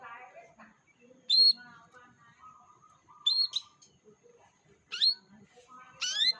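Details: Lure sound of canary played to coax a young canary into singing: sharp, bright upward-sweeping chirps about every one to two seconds, with soft lower twittering and murmuring voices in between.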